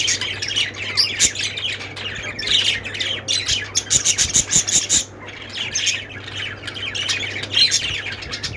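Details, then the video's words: Budgerigars chirping in a group: dense, overlapping high chatter of squawks and short tweets, continuous with brief lulls around five seconds, over a steady low electrical hum. "budgies sounds | parakeet chirping sounds"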